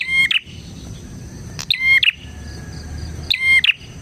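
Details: Energetic bar-winged prinia whose song serves as lure and master for prinias: repeated twin bursts of harsh clicks and a clear level whistle, roughly every one and a half seconds, faint background hiss.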